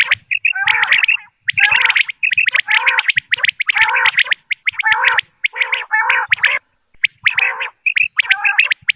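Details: A common quail from Dera Ghazi Khan, recorded for quail hunting, gives harsh, buzzy, gargling bursts with short high notes, repeated about once a second in a steady loop.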